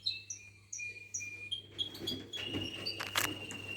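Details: Canary singing among other songbirds: a series of clear whistled notes repeated about every half second, then a denser burst of trills and a rapid buzzy rattle.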